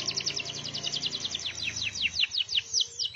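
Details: Canary singing energetically, a fast run of bright repeated notes between two and eight kilohertz, trilled and chattering, continuing steadily with a faint low hum underneath.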